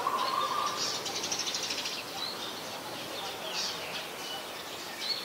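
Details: Brown-throated Sunbird in Ubon Ratchathani, Thailand, recorded 5 February 2020 on a Nikon P1000: rapid bursts of high, thin chirps repeated about three times a second, after a brief lower whistled note, over steady ambient noise.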